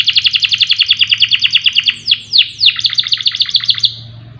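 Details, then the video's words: Canary song for coaxing other songbirds to sing: a fast, even trill of short repeated notes, broken by a few long downward sweeps, then resuming the rapid trill. "Pancingan Kenari Agar Gacor Siang Malam, Cocok Untuk Masteran Burung Lomba"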